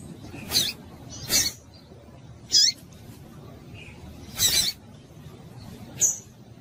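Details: Short, high-pitched chips from a female double-collared seedeater, whose call is said to warm up a male and set him singing; about five notes spaced irregularly, some slurred downward, alongside loud dry clicking knocks.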